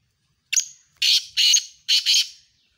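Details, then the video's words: Black francolin calling during a competition between two birds, 7 October 2022: a sharp thin lead-in note followed by four harsh, buzzy grating bursts grouped in pairs, clear and unaccompanied. "Two Black Francolin Competition | Kala Teetar Muqabala | دو کالا تیتر کے درمیان مقابلہ"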